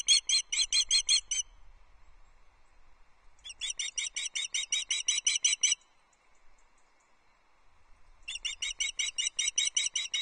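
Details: On a Loch Arkaig nest, 14 July 2024, a female osprey begs for fish, picked up by a livestream nest camera. Three long series of loud, rapid, piping chirps come in even pulses, separated by quiet gaps of about two seconds.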